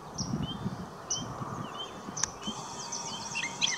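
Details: A gray catbird sings brief, varied squeaky and whistled notes at an uneven pace over a steady hum and low rumble, at St George Marsh, Charlotte County, New Brunswick, on May 20, 2016.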